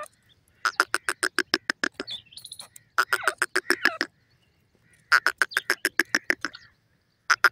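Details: Black francolin kept at home, calling in rapid runs of sharp, clipped notes, roughly six or seven per second, broken by short pauses and a few warbling, buzzy phrases.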